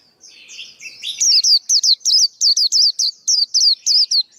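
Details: A male white-eye, its song used to train juveniles and decoy birds for trapping, opens with soft warbled notes and breaks into about eleven loud, evenly spaced, sharp descending chirps.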